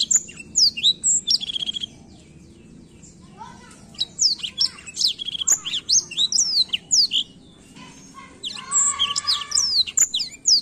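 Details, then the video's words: Black-throat in song, delivering quick high chirps and slurred whistles in bursts separated by pauses, with a lower buzzy rattle near the middle and end. "a bela canção do pássaro blackthoat"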